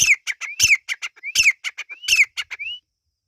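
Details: Partridge chicks, named as Irani teetar, give repeated harsh phrases. Each phrase opens with a rising whistle, drops into a rasping note and trails off in clipped scratchy notes. The series ends with a thin rising whistle, then silence.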